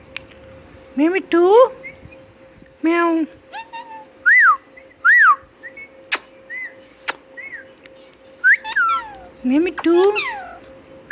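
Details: Talking pet parrot, said to be saying "Mitthu Mitthu", mixes low, harmonic-rich speech-like syllables with clear arched whistles repeated about every second, plus occasional sharp clicks over a constant background hum.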